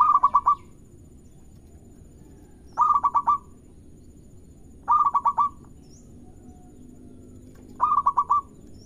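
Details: Local zebra dove song played to prompt other doves to answer: repeated bursts of five or six rapid, mellow rolling coos, spaced roughly two to three seconds apart, over quiet background.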